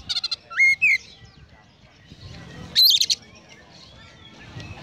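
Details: Oriental magpie-robin in konslet song with sparrow mimicry: quick chips and a short upward whistle, then a loud buzzy chattering burst near the three-second mark, with quiet background noise between.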